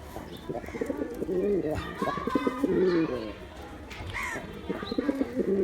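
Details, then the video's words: Low, pulsing coos from a male pigeon, repeated in short runs, with higher chirping bird calls mixed in. "Pigeon sounds attract pigeons || Male pigeon Sound"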